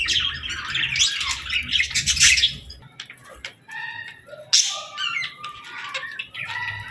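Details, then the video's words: Budgerigars chirping in the evening as seeds and millet are fed: noisy squawky chatter at first, then clearer separate whistled notes and short chirps from several birds over faint background hum. "Budgies Evening Fun 🕊️🌿 | Chirping Sounds & Feeding Time Delight 🐦"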